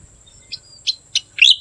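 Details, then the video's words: Striated grassbird giving a few short, high, sharp chip notes, the last one louder with a buzzy, rising flourish, over a faint steady high hiss. "Striated Grassbird"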